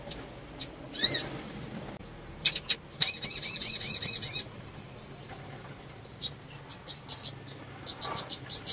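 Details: Breeding-condition female sunbird calling to excite males: scattered sharp high chips, then a quick burst of looping, shrill twittered notes lasting over a second, followed by a thin sustained high tone and faint chips.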